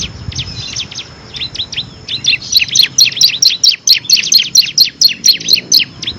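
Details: Bar-winged prinia (ciblek kristal), a songbird used as a tutor for competition birds, sings a rapid chattering series of high, sharp chips, quickening into regular repeated notes in the second half.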